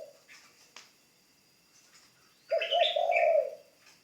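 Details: A spotted dove in training as a ground decoy gives one low, rough coo lasting a second, overlapped by loud high chirping from another bird, after scattered faint clicks.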